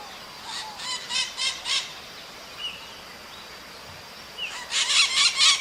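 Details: Maritaca parrot calling in nature, harsh screechy notes in two loud rapid bursts of about five each, the first bunch early and the second near the end, with a quiet gap of soft distant chirps between.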